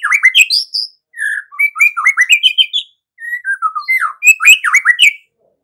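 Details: White-rumped shama singing actively: a fast, varied run of whistled phrases with rising and falling slurs and some buzzy notes, in three bursts separated by short pauses, with no other sounds.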